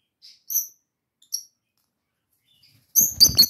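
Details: Lovebird kept as a pet calling to an unresponsive sister: two shrill, clipped chirps early on, then a quick burst of three harsh squawks with broad rasping noise at the close.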